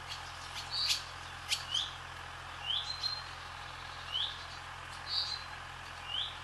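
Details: Barn swallows sweeping across the sky over a swallow farm, calling with clear, high, upward-flicking chirps roughly once a second, some doubled, against a constant soft low hum.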